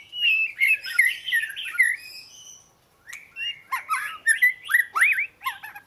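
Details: Oriental magpie-robin: a warbled stretch of bending whistles, a short pause, then loud upslurred and looping whistled notes mixed with sharp chips.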